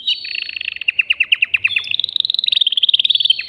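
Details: Excited caged male canary singing to stimulate a female for mating: fast series of downward-sweeping notes about eight per second, shifting into a higher, quicker buzzy trill in the second half.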